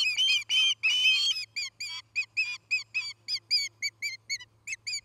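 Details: Osprey on a nest in Charlo, Montana, captured by a nest camera on 9 August 2018: longer whistled notes at first, then a quick, slowing sequence of short, curled chirps.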